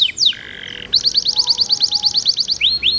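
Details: Energetic canary song over trickling water, meant to prompt other canaries to sing: a sharp downward slide and flat buzzy note, then a quick regular train of bright chirps, ending in rising whistles.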